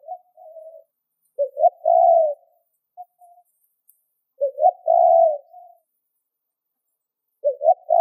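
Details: Spotted dove cooing as a lure for wild doves: three phrases of clipped hoots leading into a long rounded coo, broken by a few faint soft notes between phrases.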